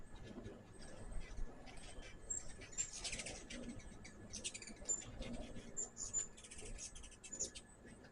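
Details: Hummingbirds at a home feeder give rapid high twittering chips and squeaky notes, clustered in short bursts, over a steady low background rumble.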